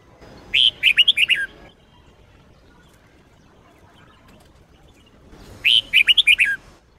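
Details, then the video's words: Training song of a red-whiskered bulbul in the Sông Kôn style: a pair of quick, chattering phrases of bright whistled notes falling in pitch, spaced about five seconds apart against a quiet background. "chào mào SÔNG KÔN hót cực hay"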